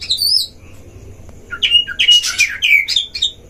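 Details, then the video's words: Oriental magpie-robin singing at a breeding cage as a lure to provoke rivals: a brief high whistle, a pause, then a dense jumble of rich whistled and scratchy notes. "DUEL KACER di kandang ternak‼️pancing semua jenis kacer cpt emosi"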